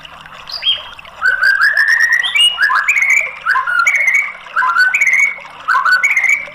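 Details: Lure song of a white-rumped shama used to set off a bird that has stopped singing: bright, clear whistles slurring upward and downward, loud phrases delivered in three bursts with brief gaps, high sharp notes scattered above.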